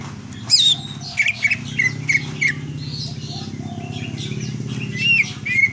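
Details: Greater green leafbird in a varied burst of sharp chirps and short whistled notes, some high and ringing, others quick and repeated, with a constant low droning hum underneath.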